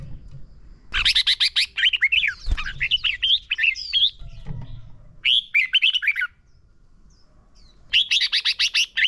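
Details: Red-whiskered bulbul singing as a lure for training caged birds in competition singing: bursts of rapid, bright, buzzy notes, then warbled whistled phrases rising and falling, a pause, and another fast note burst.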